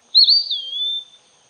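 An Eastern Wood-Pewee gives one clear, high, slurred whistle lasting about a second, rising briefly and then sliding down and leveling off, against a quiet background.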